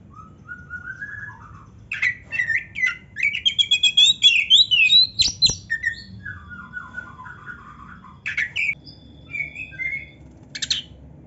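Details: Kacer (magpie robin) song, used as a training track for young, lazy or quiet kacer. Varied, rich song: whistled phrases rising and falling, a fast burst of sharp repeated notes, then slurred descending whistles and scattered chirps, with a low background hum.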